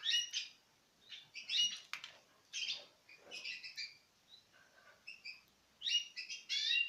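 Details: Citril finches in pairs eating from the hand, 2016; rapid high twittering chirps in clustered bursts, a quieter gap midway, then loud chirps again.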